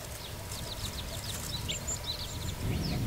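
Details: Chestnut-eared bunting perched on a dead tree, calling on 15 June 2024: thin, high, sharp chips several times a second, some sliding downward, over a steady low rumble of wind.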